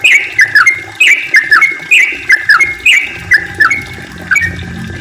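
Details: Yellow-vented bulbul pouring out a long song used as a lure for other bulbuls. Warbled, slurred whistle phrases come in clusters of two or three, then slow toward the end as a faint low hum appears.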